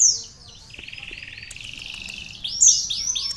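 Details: Sunbird whose song includes canary phrases; a steady, buzzy, lower-pitched trill gives way to sharp, high, downslurred whistles.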